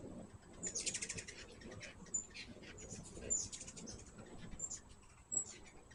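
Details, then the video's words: Hummingbirds visiting a feeder give a dense opening burst of high, dry chattering chips followed by scattered single sharp ticks and squeaks, over faint low background noise. "My first hummingbird video with natural sound."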